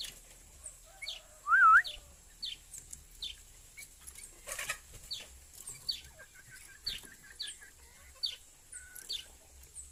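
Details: Tame sooty-headed bulbul utters one loud, wavering, looping whistle, followed by a steady series of faint, short, high ticking notes repeated roughly every half second.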